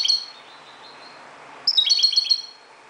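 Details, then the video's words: Moroccan European goldfinch singing at dawn, likely caged: a brief liquid twitter at the start, a pause, then a bright run of rapid repeated tinkling, buzzy notes. "JILGUERO **تغريد حسون مغربي ** CHANT CHARDONNERET MAROCAIN"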